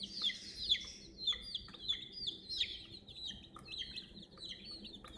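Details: Many young chicken chicks with a toy crane, giving piercing high chirps, short downward-slurred notes about twice a second, loudest at the start, with soft background rustle.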